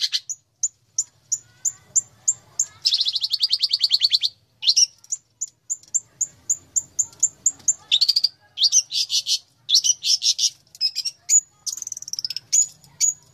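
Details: Long-tailed shrike chirping: a run of sharp, high whistled notes about twice a second, broken by fast buzzy trills and rolling chattering phrases, then more clipped high whistles; clean recording with a faint low hum beneath.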